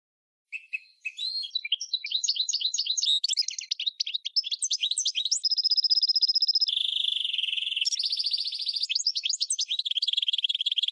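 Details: Song of a goldfinch × red canary hybrid for training birds: jumbled twittering builds into a rolling trill, then a steady high trill, a lower buzzy rattle and renewed fast chirping tours.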